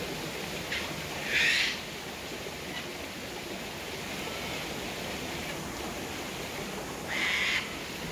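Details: Two short, harsh cockatoo screeches about six seconds apart, heard as the birds take their daily sunset drink at the waterfall at Tanninaba Falls, Springbrook, 19 May 2024, over a constant roar of falling water.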